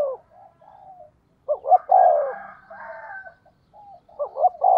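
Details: Decoy spotted dove coos to call in wild birds: quiet short notes, then two hoots and a long falling coo, with softer overlapping cooing and faint higher notes, then another phrase begins.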